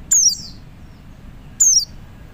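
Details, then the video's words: Male Oriental white-eye calling to other white-eyes: two thin, very high whistled notes, each sliding quickly downward, about a second and a half apart, over a faint low background rumble. "PLECI JANTAN MEMANGGIL PLECI LAIN"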